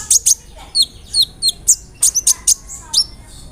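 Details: Sunbird known locally as kolibri ninja (konin), in a rolling song filled with cricket, cililin, sparrow and cerr sounds to provoke singing: loud, very high, sharp chips and two-part whistled notes spaced about a quarter second apart.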